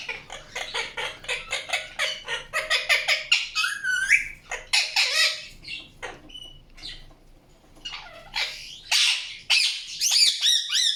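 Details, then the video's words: Indian ringneck parakeet chatter opening with a fast, even string of short harsh notes, then a looping whistled phrase, scattered clicks, and bright rising and falling chirps at the end. "PARROT CHIRPING SOUNDS | PARROT | PARROT NATURAL SOUNDS"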